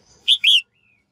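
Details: Female bird voice meant to prompt males to sing actively, heard as one loud double chirp, a brief clipped note then a longer harsh note, trailed by a thin faint whistle.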